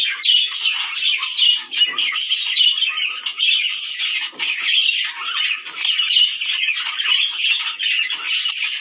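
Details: A chorus of budgerigars meant to get males and females breeding: continuous scratchy twittering and high warbles from many birds, rising and falling in loudness, with occasional sharper squawks.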